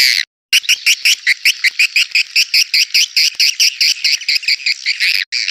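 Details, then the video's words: Swiftlet call sound meant to attract swiftlets to a crowded swiftlet house: a fast run of bright, buzzy, high-pitched chirps, about four or five per second, steady, with no other sounds. "Suara panggil burung walet jernih"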